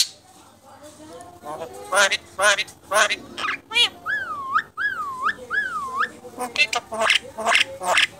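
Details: Contest-winning Asian pied starling in energetic song: rapid rasping notes, then looping wavy whistles repeated three times, followed by more scratchy chattering phrases.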